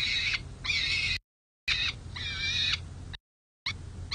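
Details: On the night before fledge watch, 11 June 2024, three peregrine falcon nestlings play at the San Jose City Hall nest site while an adult looks on from the roof above. Loud, raspy, broadband screeching calls come in several strong bursts, separated by brief dropouts.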